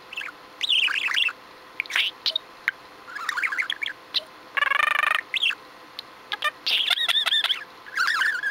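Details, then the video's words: Pet budgerigar chattering indoors, very chatty that day, recorded 6 February 2015; a stream of warbling squeaky notes, a buzzy rasping phrase midway and fast clicking trills near the end. "Benji the Budgie - Just Chatty"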